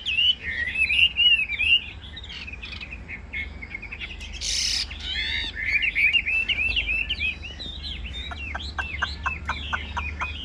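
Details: Caged, nearly tame Chinese hwamei singing a long, varied song of fast warbled whistles and slurred notes, with a brief harsh burst midway and a closing series of quick repeated clicks; a low hum lies beneath.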